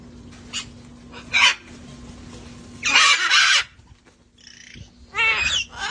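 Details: Rescued parrots having fun outside before cold weather; scattered raspy squawks build to a long loud harsh burst, followed by a quieter pause and a rapid run of falling, wavering call notes.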